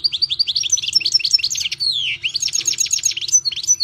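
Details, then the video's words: European goldfinch in full song, a dense unbroken stream of quick, high tinkling notes mixed with a downward-sliding buzzy note midway and sharp whistled pips, delivered at a fast, jumbled rhythm. "ΚΑΡΔΕΡΙΝΑ ΜΕ ΟΛΗ ΤΗΝ ΣΗΜΑΣΙΑ ΤΗΣ ΛΕΞΗΣ!!! (Carduelis Carduelis)"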